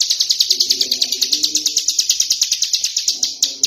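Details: Tame prinia, locally ciblek gunung, singing ngebren outside its cage: a dense, steady rattle of sharp high chirps repeated very fast, over faint low dove-like cooing.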